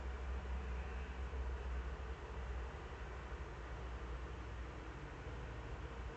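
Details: Deep rumbling background noise with a constant hiss continues throughout, with no animal voice.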